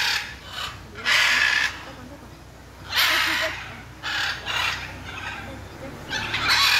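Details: Macaws recorded on 6 June 2022: loud, harsh, raspy screeches in several bursts of about half a second to a second, uneven spacing, with a noisy background.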